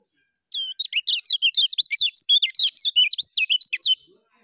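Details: Kecial kuning, the lemon-bellied white-eye, in fast 'ngejos' tutor song: a dense, continuous stream of bright, high twittering notes that dip and rise, pouring out quickly for about three and a half seconds before stopping cleanly.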